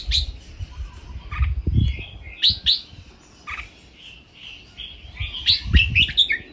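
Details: Red-whiskered bulbul, caged, singing training song in the playful 'len rik' style: short bright whistled phrases in bursts, separated by pauses, over a low rumbling background.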